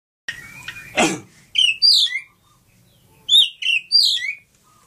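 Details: Oriental magpie-robin, a Lampung kacer, singing: bright whistled phrases around 2 to 5 kilohertz with sliding notes, preceded by a harsh burst and scratchy noise, in separated bursts with short gaps.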